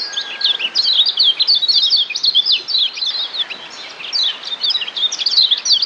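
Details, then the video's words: A Lombok yellow white-eye (kecial kuning), used as master song for training other birds, gives a fast, unbroken stream of high, thin twitters and chips, tumbling on without pause. "Masteran Kecial Kuning"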